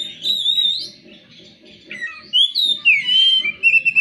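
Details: Oriental magpie-robin song used as a lure to get other magpie-robins singing. Clear whistled phrases slide up and down, quiet at first and then louder, ending in a sustained whistle and short sharp notes, with a low murmur beneath.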